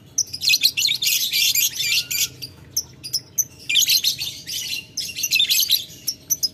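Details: Lovebird calling to a rival with long ngetik ngekek chatter: dense, scratchy, very high bursts lasting a second or two, alternating with shorter clipped notes.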